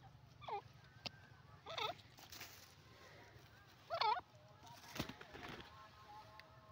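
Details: Grey francolin, or teetar, giving loud curling call notes spaced one to two seconds apart, the third the strongest, with clicks and a low background rumble.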